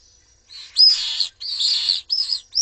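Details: Common swift chicks, three in a nest watched by a webcam in Jerez de la Frontera, Spain, attacked by an intruder while the parents are away: shrill, wavering high screeches in long buzzy bursts, rising and falling, separated by brief gaps.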